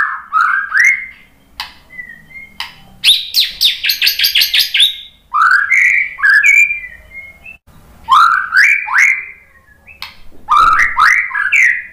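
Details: Murai batu, or white-rumped shama, answering a lure song with rich varied phrases: slurred rising whistles, short level notes, a fast rattling run of about a dozen ticking notes, then more rising, looping whistled phrases.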